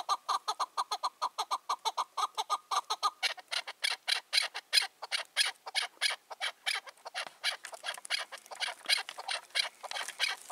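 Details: Wild male chukar partridge, about five to six years old and dominant in his area, calling on an evening in June 2023: rapid run of sharp chucking notes, quickening and growing harsher midway, roughly ninety per minute.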